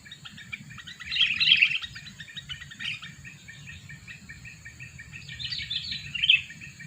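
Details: Two-year-old sooty-headed bulbul used as a lure for birds, giving scattered bright chirps and short bubbly bursts, two clearer clusters near the start and end, over a steady low hum.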